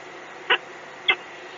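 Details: Peregrine falcon at the EDF site in Gdynia, Poland, giving two harsh, rasping notes about half a second apart over a steady mechanical hum.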